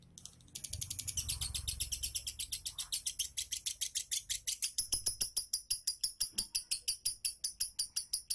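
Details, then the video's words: Lure recording of a lovebird ngunci song for coaxing a lazy lovebird: after a brief pause, a long, continuous trill of fast, sharp, high-pitched chirps, rhythmic and steady throughout. "PANCINGAN LOVEBIRD MALAS NGUNCI"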